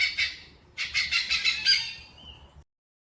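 A hornbill gives harsh, raspy squawks: one note, then a quick run of four or five cackling notes about a fifth of a second apart.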